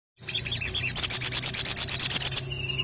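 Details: Crested jay calling to challenge a rival: a fast, dry rattle of about twenty sharp, high clicking notes in two seconds, evenly spaced and steady in pitch, then a faint thin whistle after it stops.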